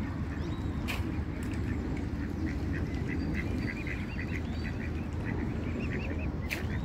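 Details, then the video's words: Several ducks on a pond quacking in quick, repeated bursts, short nasal calls running in an irregular series over steady low water and wind noise, with a few faint clicks. "Duck Sounds - duck quack - Ducks in The Pond - Quacking Sounds Of Ducks"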